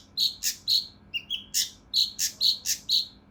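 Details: Harsh, dense 'tembakan' song from a mountain leaf warbler, locally cucak rante mas, used for training competition birds: loud, ringing, shrill notes at a lively pace, interrupted once by two short, thin whistles.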